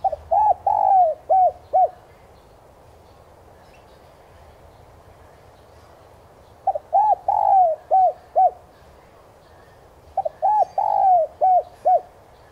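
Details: Spotted dove cooing as a lure to make kept doves call: three phrases of four or five low, hollow coos, each ending in clipped separate notes, with silent gaps of several seconds between phrases.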